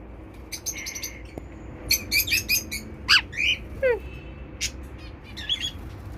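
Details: Sweet female pet cockatiel calling toward its owner: scattered bright chirps and short whistles, some sliding up or down, coming in loose bursts with gaps between them.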